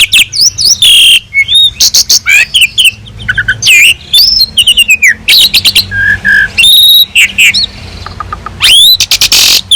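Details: Asian pied starling singing prolifically, master recording with a rich fill-in repertoire for teaching songbirds: a dense jumble of shrill whistles, harsh rasping bursts, clicks and short warbles with brief pauses.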